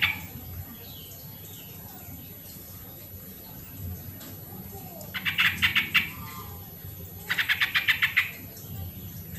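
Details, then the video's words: Sooty-headed bulbul used as a lure to get lazy birds singing, giving two brisk phrases of fast, stuttering pulsed notes, each under a second, separated by a short pause, with steady low hum behind. "suara original burung trucuk pancingan trucukan yang malas bunyi dan bahan agar bunyi dan gacor"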